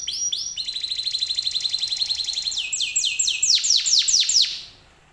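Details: Canary song meant to prompt other canaries to answer: a long, fast, even trill of repeated notes, then a run of loud descending sweeps repeated about twice a second before fading.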